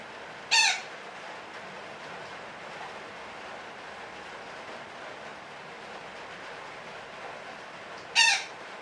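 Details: Two sharp, brief parakeet (betet) squawks roughly seven and a half seconds apart, separated by a stretch of steady noisy hiss, from a long 'ngekek' call sequence.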